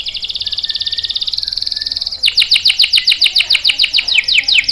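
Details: Canary singing to lure and train young males: a rapid pulsed trill for about two seconds, then an abrupt change to loud, repeated downward-sweeping whistles, bright and high, in quick succession.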